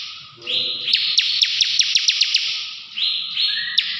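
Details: Bar-winged prinia song from a caged bird: a sustained buzzy high trill punctuated by evenly spaced sharp ticks, followed by a short second burst starting with a rising whistle.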